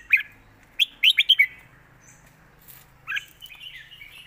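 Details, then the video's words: Red-whiskered bulbul singing its master song: one sharp note, then a fast cluster of four loud chirps, a pause, and a softer warbled phrase trailing away. "เพลงแม่บท นกเสียงทอง#เสียงนกกรงหัวจุก"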